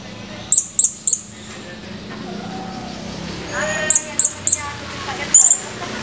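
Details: Blue-crowned hanging parrot, a male recorded 17 July 2020, giving two runs of three evenly spaced, piercing high chirps, plus one more near the end, with faint voices and distant traffic behind.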